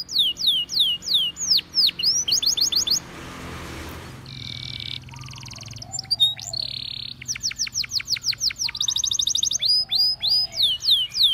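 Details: Singing Belgian canary used for training, with repeated downward whistles, a short noisy break, buzzy held tours, then fast rattling trills and looping notes.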